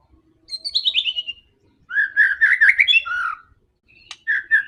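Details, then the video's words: White-rumped shama in fierce, fighting song meant to provoke other birds: a descending run of slurred whistles, then rapid chattering phrases around mid pitch, ending with short buzzy notes. "MURAI BATU GACOR‼️ SANGAT FIGHTER DAN GANAS UNTUK PANCINGAN MURAI ANDA"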